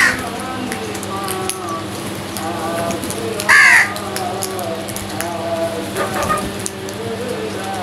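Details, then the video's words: Crows squabbling for food; one loud, rasping caw stands out midway, with faint calls and steady background hum around it. "Crows Fight for Food | Crows attack on food | Crows Sounds"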